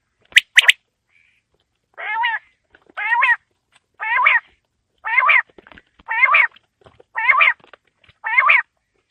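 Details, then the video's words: Quail calling, recorded on a winter evening: seven nasal, buzzy calls repeated about once a second after two sharp clicks at the start. "Quail Calling Sound For Winter | Baiter Ki Awaaz Sardiyon Ki Sham K Leya | بٹیر کی آواز سردیوں کیلئے"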